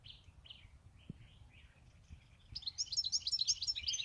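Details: Goldfinch of eight years in its keeper's care: a few separate short buzzy notes, then from halfway a fast, high, sparkling twitter of repeated tinkling notes, nearly three per second.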